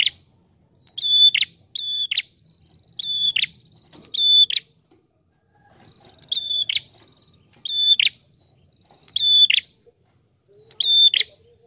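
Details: Prinia in loud 'tamu' song, delivered tight and sustained for use as a trapping lure: eight high, level whistled notes, each closing with a buzzy burst, given in two runs of four separated by a brief pause.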